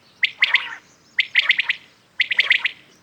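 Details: Common quail calling in the morning, close and clear: three phrases of quick, sharp notes, each burst a ringing triplet followed by extra clipped notes, spaced about a second apart.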